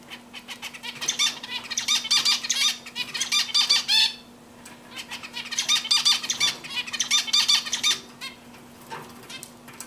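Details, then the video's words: Zebra finch singing on a swing: rapid bursts of nasal, buzzy, harmonic notes in phrases of about two seconds, broken by brief pauses, over a steady low electrical hum. "Zebra Finch sings on a swing تغريد طائر الزيبرا"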